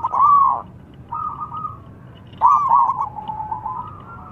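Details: Local zebra dove calling with a rival answering; arched coo, a flat softer coo, then a stuttered coo running into a long wavering tail.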